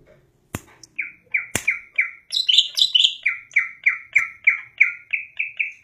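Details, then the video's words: Greater green leafbird singing lively in a cage: two sharp clicks, then a run of bright downslurred chirps, a burst of higher squeaky notes mid-phrase, and a steady repeated chirp series at about three per second. "burung cucak ijo gacor"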